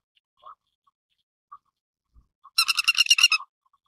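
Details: Grey-headed lapwing (Vanellus cinereus), filmed in Taiwan where a few pass through coastal wetlands, gives a sudden harsh, rasping burst of about ten rapid notes lasting under a second, after a few faint, scattered chirps.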